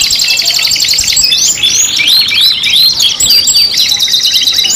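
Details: Five-in-one canary lure song: a high buzzy trill gives way to arched whistled notes in quick succession, then a steady rolling trill. The song is loud and nearly continuous, with a brief gap around the third second.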